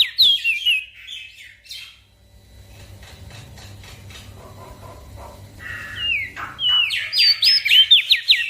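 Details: Javan grey-throated white-eye in energetic gacor song for training small birds: brief slurred whistles opening, a long subdued gap with faint background noise, then a dense flurry of sharp, rapidly repeated whistled notes.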